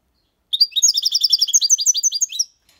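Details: Six-month-old European goldfinch performing clean copia Malaga song with colios, quejas and ornaments: one lively two-second phrase of quick, chiming, slightly buzzy notes, ending on a rising flourish.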